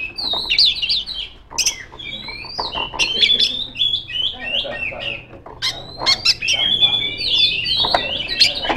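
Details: Female magpie-robin's loud rival-calling song: varied whistled phrases with harsh squawky notes and clear gliding whistles, separated by short pauses and clicking sounds.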